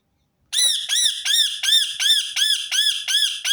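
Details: Repeated Rose-ringed parakeet call, used to set other birds singing: after a short silence, eight loud, shrill, arched screeches follow at an even pace of about three per second.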